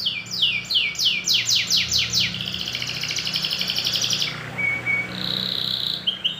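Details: A male canary sings fast descending sweeps about four per second, then a long buzzy trill and clear whistled notes, all high-pitched, used by breeders as a lure song to prompt canaries to sing and mate.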